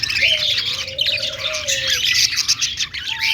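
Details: A few seconds of budgerigars in a happy, playful mood: rapid overlapping chirps and scratchy notes crowd the upper range, while a smooth sustained tone sits lower down.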